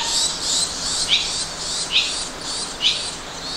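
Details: Barn swallow nestlings in a nest built this year at a company's front entrance, giving high, thin chirping in bursts that repeat roughly every half second to second, with soft background hiss.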